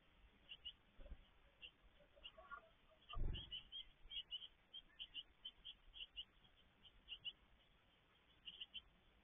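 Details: Great tit at a garden nest box while feeding, 17 May 2022: a busy run of high chirps and twitters, broken by a dull knock or thud partway through, over low rumbling background noise.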